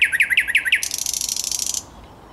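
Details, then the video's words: Thrush nightingale on 10 May 2021 delivers five loud chock notes followed by a rapid dry buzzing rattle lasting about a second. "Słowik Szary"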